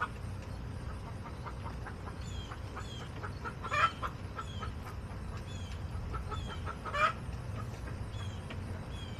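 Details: Hens in a backyard flock in August clucking: a low, steady run of short clucks, two louder harsh calls standing out, faint higher chirps from other birds over a low rumbling background.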